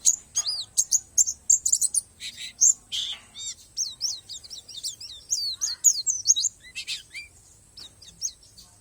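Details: Long, busy stream of squeaky, downward-curving tweets and sharp chips from a Palas Borneo white-eye, fading toward the end; song filled with natural phrases.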